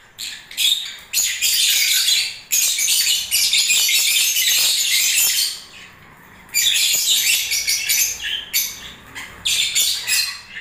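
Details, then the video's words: Shrill, scratchy chattering from lovebirds during breeding season, long continuous bursts of high squeaks, a quiet stretch near the middle, then choppy bursts of chirps. "Love birds singing and movements"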